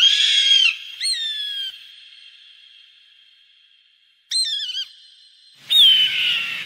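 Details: Hawk screams intended to chase away birds: three loud, high, harsh whistled cries, slightly falling in pitch, each leaving a lingering echoing tone between them.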